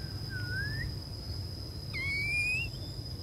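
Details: Female Oriental magpie-robin used as a lure bird, whistling to call males: a soft upslurred whistle followed a second later by a louder, thin rising whistle. A constant high tone and low rumble sit behind.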